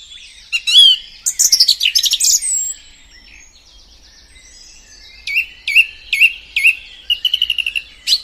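A song thrush sings loud, varied whistled and chattering phrases, each note repeated several times in quick bursts, with brief pauses between phrases.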